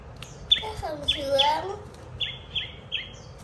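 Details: A pet chòe, a songbird of the shama or magpie-robin group, sings perched on a hand while a child plays with it indoors. Short high chirps repeat in two bursts of three, overlapped by Vietnamese speech from adults and the child.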